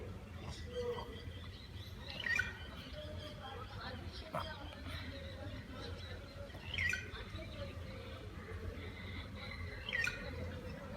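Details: Bird singing from a tree in the morning: short bright chirps and downward-sliding whistled notes in bursts about every four seconds, over a steady low rumble of background noise.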